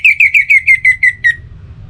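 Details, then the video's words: Orange-headed thrush song serving as a lure for other birds at morning and evening: a steady run of eight short whistled notes, each slightly lower than the last, spaced evenly over about one and a half seconds. "Pancingan Suara ANIS MERAH Untuk Pagi dan Sore Hari Agar Burung Jadi Tambah Gacor"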